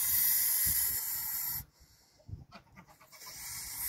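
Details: Goose; hiss; defending its nest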